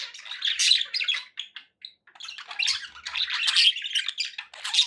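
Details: Rapid, scratchy warbling from pet budgies, with bursts of squawks and clicks broken by a brief lull before the chattering resumes, ending on a thin high squeak.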